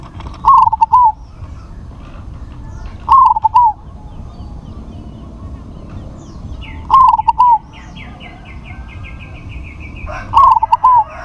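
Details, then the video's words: Loud-voiced crossbred zebra dove repeating its stuttering coo phrase four times, roughly every three to four seconds. Each burst is a quick series of mid-pitched notes closing on a longer coo, with a quiet background and a faint high tone. "PERKUTUT CROSSING SUARA BESAR"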